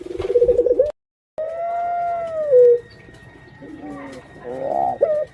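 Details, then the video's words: Pet female puter pelung dove about to lay eggs: a quavering coo cut off by a brief silence, then a long smooth coo that bends downward at the end, followed by softer wavering notes. "Suara Indukan Burung Puter Pelung"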